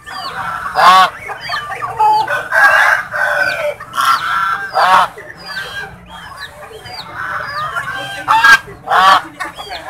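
Several swans call at once with loud, nasal honks and cackles, some rising and some falling, in overlapping bursts roughly every second.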